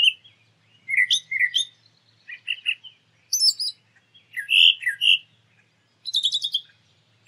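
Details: Singing brown thrasher in nature, its varied phrases mixing warbled mid-pitched notes with thin, high buzzy bursts, set against a faint low hum.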